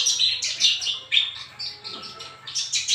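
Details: Caged Javan bush lark in care, uttering quick high chirps and warbled notes in irregular bursts, loudest near the start and again toward the end.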